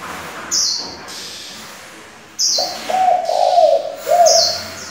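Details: Spotted dove changing its voice continuously, used to stimulate decoy doves and train young ones; a low, rolling coo of nearly two seconds with wavering notes. High whistled phrases of another bird are interspersed.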